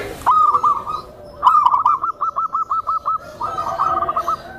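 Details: A gentle tame zebra dove, kept to stir other zebra doves and to train new birds. A rapid string of about ten crisp, high cooing notes follows a brief opening burst, and a shorter trailing phrase closes the clip.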